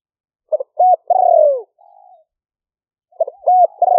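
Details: Spotted dove recorded live as a decoy for trapping, rainy-season paddy fields near Tao Lek, Roi Et province, Thailand, on a smartphone. Liu-fueang style: clipped notes lead into a long falling coo, a soft tail, then the phrase begins again.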